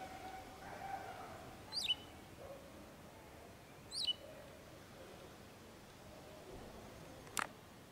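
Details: Food-collecting wagtail, male and female communicating: two high, quickly descending chirps about two seconds apart, a soft low hum in the background, and a sharp click near the end.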